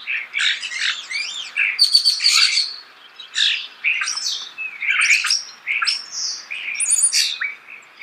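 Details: Close natural recording of a starling: a continuous, busy medley of raspy chatter, squeaks, clicks and shrill whistles, barely pausing for eight seconds.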